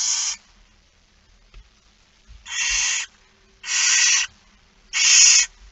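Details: Barn owl begging during a feeding, 06:57 on 13 September 2019. Four long rasping hiss-screeches, each roughly half a second, spaced over a second apart, with quiet background between them.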